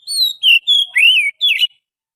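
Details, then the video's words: Oriental magpie-robin, wild forest bird, song used to lure others: a loud sequence of five whistled phrases that are drawn-out, wavering and bending downward, ending in a short burbled note. "suara pikat burung Kacer asli hutan,suara pancingan kacer"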